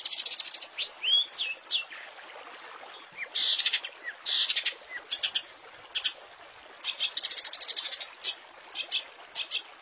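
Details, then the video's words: Training recording of long-tailed shrike song with varied fill phrases for caged shrikes and magpie robins: looping whistled slurs, then bursts of harsh buzzy notes and rapid high chattering trills, no other sounds. "Masteran Cendet full isian mewah untuk murai dan burung kecil lainnya"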